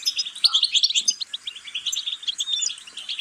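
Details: Brief European goldfinch song: an even, rapid run of bright twittering chirps repeated steadily throughout.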